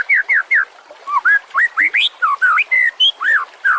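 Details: White-rumped shama song recorded as a master for other songbirds; a quick sequence of clear whistled upslurs and downslurs, roughly three notes a second, varied in pitch.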